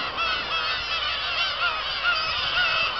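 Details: Many black-tailed gulls at Kabushima in Japan, 2 August 2012, after a fireworks display. Crowded colony din of harsh, mewing, slightly rising and falling cries layered over one another without pause.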